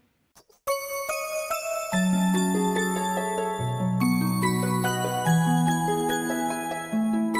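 A gentle bell-like melody of glockenspiel and chiming notes over a low bass line, starting after brief near-silence; no animal sounds.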